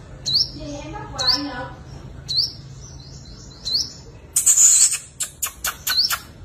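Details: {'caption': "A sunbird's fighting song used to lure wild birds: spaced, sharp rising whistles about once a second, briefly broken by a loud burst of clicking, rattling sounds before the notes return."}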